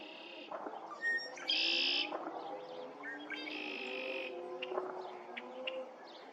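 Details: Red-winged blackbird calling at Lake Afton on 20 February 2023: brief sharp introductory notes, then a loud harsh buzzy trill, given twice about two seconds apart, over faint low droning background sounds.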